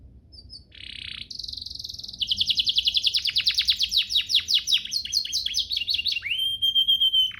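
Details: Master song of a canary used for training: soft whistles open into a buzzing trill, then a long run of quick falling notes, ending on a sustained clear upslurred whistle.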